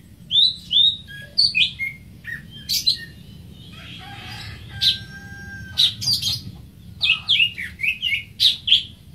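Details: Greater green leafbird song in bursts of quick, bright whistles and sharp chips, with a pause in the middle. Brief buzzy notes and a faint steady tone sit between phrases.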